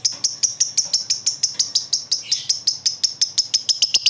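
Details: Lovebird kept as a pet bird, answering another lovebird with a long ngekek: a fast run of high, sharp, evenly repeated chirps, about five per second, steady for the whole stretch.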